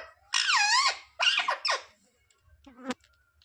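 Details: Parrot imitating words such as "mummy papa" with one long, squeaky, wavering syllable followed by two shorter rough ones, then a faint low murmur and a sharp click.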